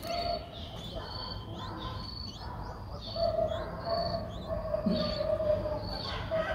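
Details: In Ubon Ratchathani, Thailand, on 8 April 2023, a six-day-old Streak-eared Bulbul chick repeats high, thin, evenly pitched piping notes. A steady lower tone runs underneath, with faint background hum.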